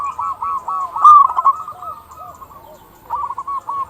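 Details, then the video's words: Local zebra doves singing as a lure for other doves: a dense tangle of rapid, rolling coo trills from several birds, easing off, then a new short phrase. "Perkutut lokal gacor suara paling ampuh untuk pancingan burung perkutut agar cepat bunyi"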